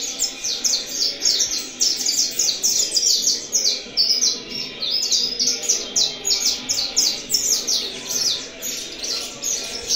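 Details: Saffron Finch singing in contest with another bird; a steady stream of quick, high, chattering notes repeated about twice a second throughout, with a faint background hum.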